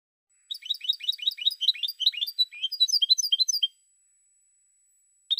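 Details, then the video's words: European goldfinch song, an energetic three-second stream of tinkling, slurred twitters in rapid succession, then silence and the start of another note. "Cante De Jilguero 2016"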